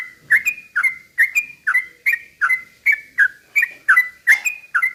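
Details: Yellow-vented bulbul singing to spur other bulbuls into agitated song; rhythmic clipped whistles, each a quick down-up slur, roughly two to three per second, steady and loud throughout.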